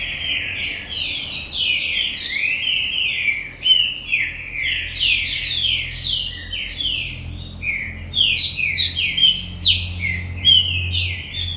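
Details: Captive green-winged saltator from a commercial aviary singing a long, continuous stream of rich whistled phrases, many slurred downward notes in rapid succession, with low hum underneath.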